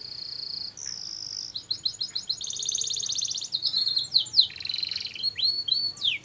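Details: Kept songbird, a prospective contest champion descended from a noted singer, delivering a long, continuous, very high song of sustained trills, buzzy rattles and rapid sweeping notes that grows louder and denser toward the end.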